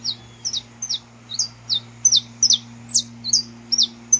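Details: Saffron finch in nature delivering steady, high, clipped chirps, each sliding downward, about two or three per second throughout, over a constant low hum.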